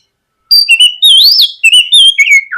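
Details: White-rumped shama, morning lure song to get a young shama singing: a loud, continuous string of clear, varied whistles that rise and fall, ending on a lower slurred note.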